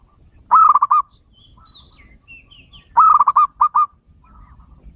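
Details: Male local zebra dove, natural voice, recorded to help lure wild birds: two short cooing phrases about 2.5 seconds apart, each a quick stuttering run of five or six mid-pitched notes, with faint high chirps from other birds between them.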